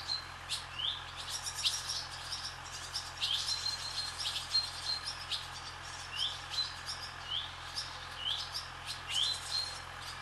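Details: Twittering chirps from barn swallows flying over a farm, a busy stream of short, bright notes and rising flicks overlapping at irregular intervals, against a constant low background hum.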